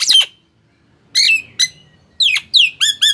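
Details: Nias hill myna calls played to prompt silent mynas into singing: a few loud, harsh notes with falling whistled sweeps and upward-hooked strokes, separated by a short pause, in a quiet indoor setting.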